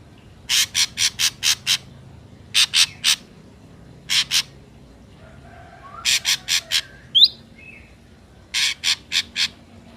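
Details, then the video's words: Ashy drongo sound used as a trapping lure: clusters of two to six loud, grating, buzzy notes separated by short pauses, with a thin upswept whistle and softer warbled notes between the bursts. "PANCINGAN SUARA BURUNG SRIGUNTING AMPUH"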